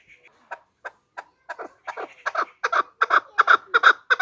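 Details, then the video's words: Female chukar voice for luring birds when hunting, opening with a few thin notes and spaced clucks that quicken and swell into loud, rapid chuck calls. "Голос самка кеклика манок на Куропатка"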